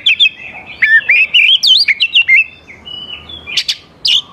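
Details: Lure song of an oriental magpie-robin aimed at young wild birds, a rapid run of wavering whistled notes stepping up and down, then a pause and a few sharp high chips.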